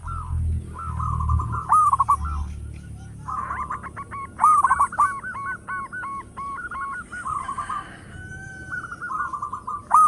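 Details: Local zebra dove singing loudly as a lure: rolling, bubbly coo phrases with sharp accents, then a rhythmic sequence of evenly repeated ringing notes, over low rumbling background noise.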